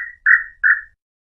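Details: Nambu pé roxo (tataupa tinamou) song played to attract males and females: three clear whistled notes, each swelling then fading and slightly falling, the last two longer, over a quiet background.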